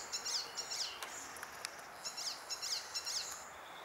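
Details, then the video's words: Icterine warbler in June 2021 repeating a sharp, high chirped note in quick bursts of two or three, with a pause mid-phrase and a few clicks, over steady background hiss. "koncert zaganiacza"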